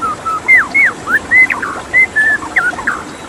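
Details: White-rumped shama song with water running behind: a lively string of clear whistled notes, some rising, some falling, about a dozen in three seconds.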